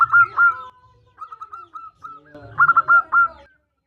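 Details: Female zebra dove summoning a male. Two loud coos, then a gentle row of short level notes, then a louder rapid stutter of four or five rolling coos.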